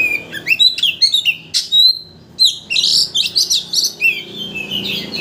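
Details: Lure song of an Oriental magpie-robin, meant to stir a rival bird into unloading its whole repertoire; bright, jumbled whistles and chirps in quick bursts, a short pause near two seconds, then dense scratchy trills.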